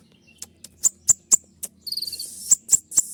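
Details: Kolibri ninja, the olive-backed sunbird, giving 'tembakan' shot-like song for bird-training: sharp high ticks roughly every quarter second, then a buzzy high rattle and more piercing ticks.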